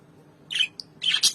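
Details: Albino lovebirds calling to each other after more than four months apart: two short bursts of shrill, scratchy chirping with a brief high tick between them.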